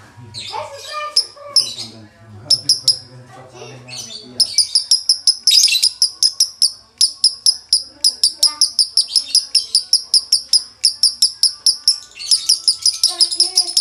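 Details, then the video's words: Male lovebird singing in the konslet style with a dry tone ('nada kering'): after a few seconds of human voices, a long run of sharp, high, chattering chirps repeated about three to four times per second without pause. "Lovebird jantan konslet nada kering"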